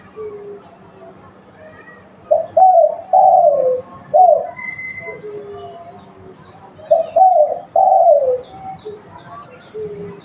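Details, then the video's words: Local spotted dove used as a lure calling twice, each burst a short series of three husky coos with a drawn-out, falling middle note, separated by several seconds of quiet and a faint high whistle. "Tekukur lokal buat pancingan"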